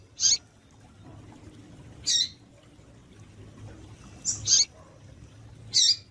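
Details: Female double-collared seedeater calling tui tui to excite males. There are four short, sharp, high chirps spread across the recording, two of them close together, over a steady low hum.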